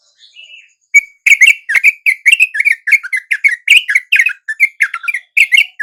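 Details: Wild yellow-vented bulbuls at dawn, swooping in and joining the calls of a bulbul lure; after a faint opening note, a lively stream of bright, bubbly chirps, roughly four to five a second, with no other noise.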